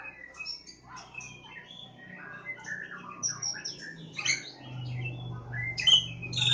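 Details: Javan Oriental magpie-robin (kacer Jawa), Lebakgowah, singing a softer, busy string of quick chirps and short whistles that rise to a louder finish, over a steady low humming background.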